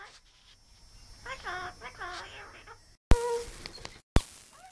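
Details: Hand-reared pet Australian king parrot that loves a chat, indoors, giving a short run of harmonic, speech-like warbling phrases over about two seconds, followed by sharp clicks and abrupt cuts with brief silences.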